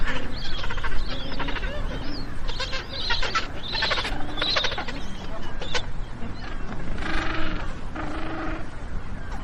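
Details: Magellanic penguins braying: harsh, donkey-like harmonic brays in a run of rough bursts, some stretched and rising, the loudest near the end, over a steady noisy background.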